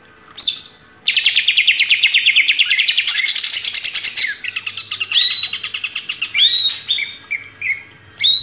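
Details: Greater green leafbird kept as a cage bird, delivering a long, rapid rattling series of repeated notes, then clear whistled phrases and sharp upslurred notes, for training other birds.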